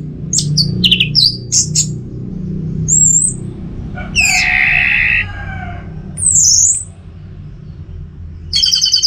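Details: Orange-headed thrush singing from a cage at home in North Bali, in the 'teler semi doyong' style. Quick high whistles give way to a harsh, buzzy mid-pitched phrase, then a curling whistle and more high notes.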